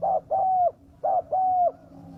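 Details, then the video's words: Lure recording of a spotted dove: two low mellow phrases, each a short coo then a longer level note, clear against faint background hum. "pikat burung tekukur suara ganas/ burung liar langsung turung"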